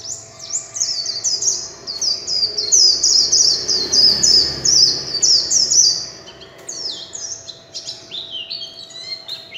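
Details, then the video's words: Bright, rapid warbling from a warbling white-eye performing líu chòe song: dense strings of high slurred chirps for six seconds, then a brief pause and a quieter run of descending notes. "Tiếng chim vành khuyên líu chòe (không tạp âm) - Vành khuyên líu chòe"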